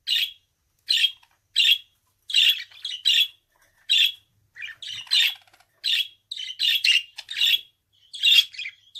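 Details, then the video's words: Budgerigar kept at home calling in a long series of short, sharp chirps and buzzy squawks, roughly one or two per second, growing busier and more clustered later. "Kuş sesi - Muhabbet Kuşu"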